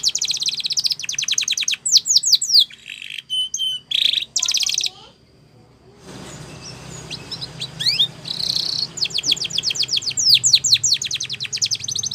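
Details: Spanish Timbrado canary singing a training song for young canaries. Trills and falling whistles fill the first seconds, then a pause and a burst of broadband rushing noise, before fast rolling trills and sweeps resume.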